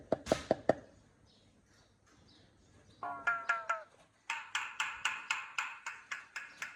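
A myna gives a short run of nasal, ringing notes, then a fast string of harsh, rasping calls about three per second, after a few sharp knocking clicks.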